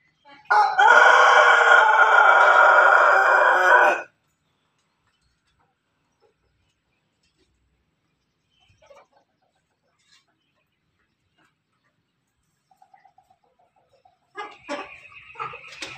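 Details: Rooster from a farm, a crossbreed of pelung, Bangkok and ketawa chickens, crowing: one strong, sustained, harmonic crow lasting about three and a half seconds, followed by long quiet and a short rough sound at the end.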